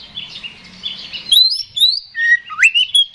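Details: Oriental magpie-robin (kacer) singing loudly in fighting mood, used as a lure to provoke rival birds. A jumbled chattering warble gives way to clear, sliding whistled phrases and a rising then falling note.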